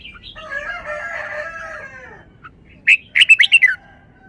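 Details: A long, droning, crowing-like harmonic call from another bird is followed by a caged red-whiskered bulbul's brisk phrase of five loud, rapid, clipped whistled notes in its forest-song manner.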